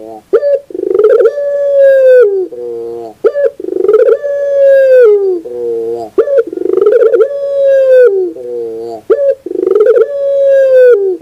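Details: Barbary dove in a training recording for cage birds: loud, repeated coos, each a short sharp note then a long steady mid-pitched coo falling at the end, followed by lower rolling notes, roughly every three seconds.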